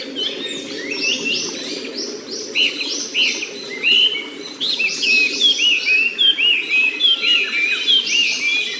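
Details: Quiet forest beside a stream, near the nest of a Japanese paradise flycatcher: a lively string of short, high, downslurred whistles repeated in pulses, several voices overlapping, against a soft background of flowing water.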